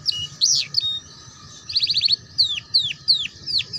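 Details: Canary tutor song for juveniles learning ngeriwik: a few loud slurred whistles, a short rapid trill, then evenly spaced, high, falling whistled notes roughly every third of a second.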